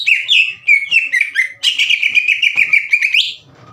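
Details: Caged green leafbird singing to provoke rival birds into answering; clear whistled notes slurring downward, then a rapid run of buzzy repeated notes ending in a rising whistle, with faint low background noise at the end.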